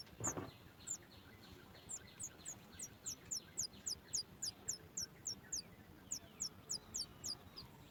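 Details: Sooty chat baby bird in its nest begging as the mother brings food: a dull thump, then a long steady series of thin, very high chirps, roughly three to four a second.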